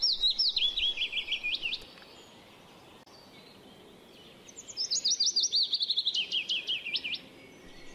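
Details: Willow warbler (Phylloscopus trochilus), recently returned from its wintering grounds, sings in spring two sweet, liquid phrases of soft whistled notes, each cascading gently downward and ending in a slight flourish, over faint background hiss.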